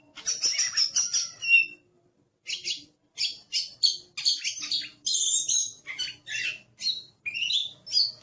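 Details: Aggressive Oriental magpie-robin (kacer) in full song: bursts of varied, chattering and whistled phrases, high and sharp, broken by a short pause near two seconds, then rapid choppy notes continuing steadily.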